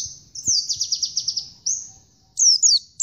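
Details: Oriental white-eye singing: a fast buzzy trill of high notes, then a short thin whistle and two piercing downward-slurred chirps, over a quiet low background hum.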